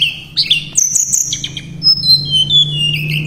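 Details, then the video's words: Shortwing, known locally as tledekan pring, in gacor song: sharp high whistles, short chips and a long falling whistled slide, with a constant low electrical-sounding hum beneath. "Terapi BURUNG TLEDEKAN PRING gacor nembak dan ngerol"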